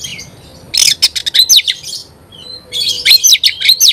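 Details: Oriental magpie-robin in loud 'gacor' song used to provoke other magpie-robins: a quick burst of sharp clicks and chips, then a pause with a soft whistle, then bright slurred whistles and rapid notes.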